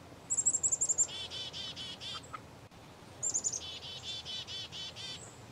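Black-capped chickadee giving two chick-a-dee calls: a few high, thin introductory notes, then a run of six or so buzzy, harsh dee notes.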